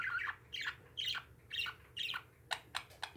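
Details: Pet parakeets give a rapid series of harsh, descending squawks, then three clipped chirps, against a faint indoor hum.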